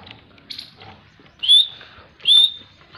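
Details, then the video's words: Grey francolin, called teetar in Pakistan, giving two loud, high whistled notes about a second apart. Each rises sharply, then holds a steady tone. Softer, rougher notes come before them, with a quiet background. "Teetar Awaz || Teetar Voice || Grey Francolin Teetar Voice Most Beautiful"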